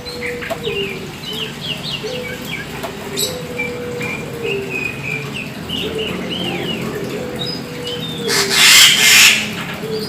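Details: Oriental magpie-robin of the black form in lively full song: rapid runs of varied whistled and chirping notes, some rising and falling slurs, under a constant low hum, with a brief loud hiss near the end.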